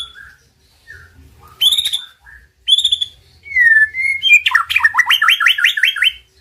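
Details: White-rumped shama song used as a master recording to excite a silent bird into singing: separate high whistled notes, a sliding whistle, then a fast run of rising-falling trilled phrases near the end, in a quiet background.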